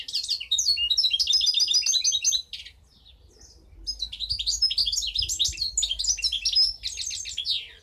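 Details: Goldfinch hybrid (mixto jilguero) bred in 2015, singing a fast, varied twittering song of high chirps and trills in two bursts separated by a short pause.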